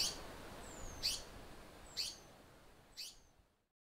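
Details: Rasping notes from an African paradise flycatcher in South Africa come about once a second, interleaved with a thin downslurred whistle, then fade into silence.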